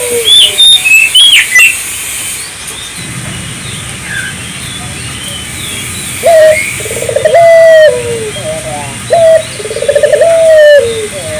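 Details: Island collared dove song meant to set local doves singing; sharp high chirps from another bird open the recording, followed by the dove's rolling, gliding coos in the second half.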